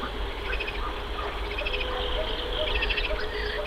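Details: Mallard ducklings in May, swimming on a river and looking for food; short high peeps come in small quick clusters scattered through the clip over a steady low rumble of water or wind.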